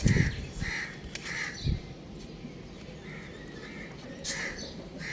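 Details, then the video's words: Young rooster playing on a roof, giving short, bright chirps repeated in small bursts across several seconds, with a few low thumps and handling noises near the start and steady outdoor background hiss. "Adorable Young Rooster Chirping Sounds"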